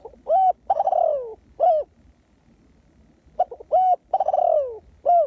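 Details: Spotted dove kept as a ground decoy to lure wild doves. It gives two cooing phrases. Each is a short coo, then a long burry coo sliding downward, then a short clear coo, with a quiet gap between the phrases.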